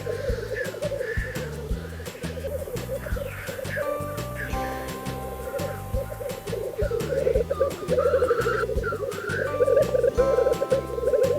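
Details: Black grouse males at a pre-dawn lek, each holding a small patch and fighting one another, give a continuous low bubbling chorus broken by sharp hissing sneezes, a din audible kilometres away; background music plays.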